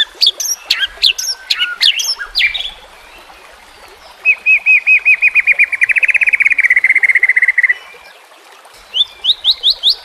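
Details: White-rumped shama training song over a trickling-water backdrop, meant to teach and provoke a young bird: sharp high whistles, then a long rapid trill of about twenty even notes, ending in rising whistled upslurs.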